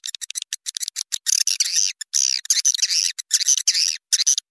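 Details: Swiftlet lure call used to attract swiftlets: rapid, buzzy chirps and clicking twitters, fast bursts broken by brief pauses, high-pitched and dry, with no other sounds.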